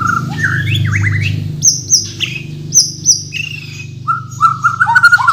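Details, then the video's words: Bornean white-rumped shama, native to Kalimantan, singing a varied 'full isian' song: looping mid-pitched whistles, then sharp high piercing notes repeated in pairs, ending in quick bright warbled phrases, with a low steady hum underneath. "MURAI BATU BORNEO GACOR FULL ISIAN || AMAZING BIRD CHIRPING MURAI BATU"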